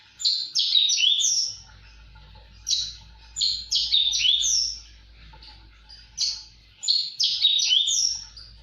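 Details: Lively singing from a Javan bush lark (gacor), phrases of tumbling high whistled and buzzy notes repeated in three similar bursts, with a steady low hum underneath.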